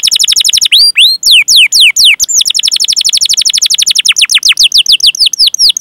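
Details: Canary singing long rolling trills of rapid, steeply falling whistled sweeps, dozens in quick succession with few pauses, used as a master recording to train other canaries to sing.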